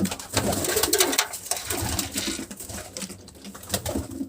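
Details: Pigeon calling indoors in a small room: a low, soft cooing phrase early on, followed by rapid, irregular clicks and rustling scratches, with a steady background hiss throughout.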